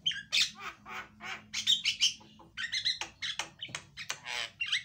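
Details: Javan myna song used as a lure to make a silent myna start singing, described as very loud; harsh, squawking broadband notes in quick bursts, mixed with short clear whistles, with a faint low hum underneath.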